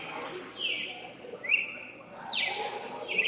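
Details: Cardinal at a singing tournament where it won first place: clear whistled phrases, some sliding and others sharply rising, with pauses between, set against a noisy background of crowd murmur.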